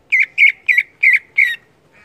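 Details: Greater green leafbird in loud ngeplong song, delivering five harsh, rasping notes at an even pace, each a short twisted phrase, with a faint trailing note at the end.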